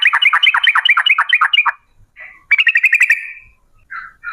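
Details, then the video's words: Female Yellow-vented Bulbul lure in the rolling 'ropel' style: a fast, jerky string of chirping notes, a short gap with a soft call, then another lively chattering run. "TRUCUK gacor UPLIK NGEPRUL pancingan trucuk agar BUNYI, jadikan burung trucukan BUNYI ROPEL"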